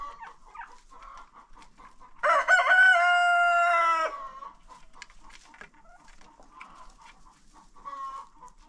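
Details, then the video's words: Rooster taking part in a daily after-breakfast crowing contest on a chicken farm: a single strong crow almost two seconds long, rich in harmonics with a slight drop at the end, over constant low clucking from other chickens. "roosters crowing.... contest"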